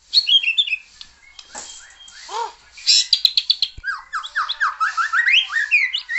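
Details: Singing white-rumped shama meant to spur another shama into full song: rich whistled and scratchy phrases with a few lower bubbling notes, then a rapid repeated sequence of falling slurred whistles, loud and continuous.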